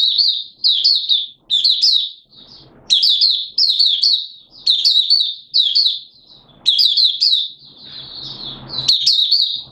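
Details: Oriental white-eye (Malaysian mata puteh) giving buka sing song, Singapore, 29 March 2023, warm and humid with sudden showers; repeated short bursts of quick, high, tumbling chirps roughly every second or two, faint low hum behind.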